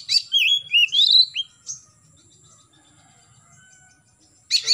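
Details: Morning song of an Oriental magpie-robin, meant to stimulate young birds to sing: a quick string of rising whistled phrases, a pause, then a brief burst of harsh notes.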